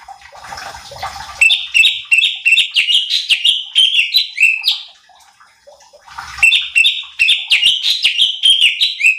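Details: Cucak cungkok bulbul in a training track to provoke other birds: two bursts of quick, loud whistled phrases with swooping notes, separated by a quiet pause of about a second.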